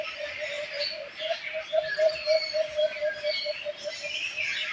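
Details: Chirping birds fill the background with high scattered tweets and trills, while a lower pulsing call repeats about four times a second, swelling louder in the middle before fading slightly.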